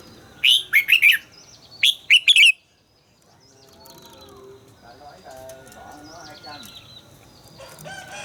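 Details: Red-whiskered bulbul, voice-training recording: two quick bursts of clear, slurred whistled notes in the first seconds, then the singing stops and low murmuring noises and rustling follow.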